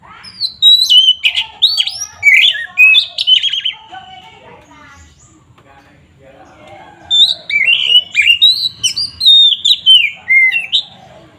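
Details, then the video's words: Oriental magpie-robin in full 'ngeplong' song, used as a lure to rouse rival birds' aggression: loud, varied whistled phrases with rising and falling slurs and sharp chips in two bursts separated by a quieter pause. "pancingan SUARA BURUNG KACER GACOR NGEPLONG ini paling ampuh untuk menaikan emosi kacer"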